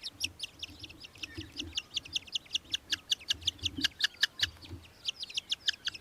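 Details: Australian hobby in Victoria, Australia, December 2023, delivering a rapid, insistent chatter of sharp, high, evenly spaced kek notes, about two to three per second, with light low-pitched background noise.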